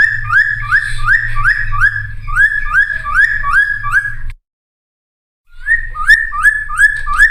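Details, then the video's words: Cucak timor in energetic full-variation song, played as a lure and training master for young wild-caught birds: a rapid series of rising whistled notes, about three per second, cut by a brief silence, over a low steady hum. "Cucak Timor Gacor Full Isian MP3 Untuk Pancingan Burung Bahan"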